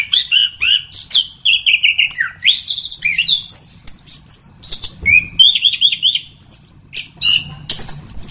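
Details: Orange-headed thrush song used as tutor recording for training other birds: a continuous, varied series of clear whistled phrases, rising and falling, mixed with higher squeaky and chattering notes.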